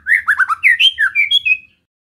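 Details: White-rumped shama song used to provoke other shamas: a rapid run of short whistled and slurred notes around mid-high pitch, about ten notes in under two seconds, then silence.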